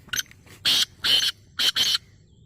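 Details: Black francolin (kala tetar), a bird described as the Hindustani nasal type, giving loud harsh buzzy notes in a grouped rhythm: one short note, then two longer rasping notes, then a quick pair, over a quiet background.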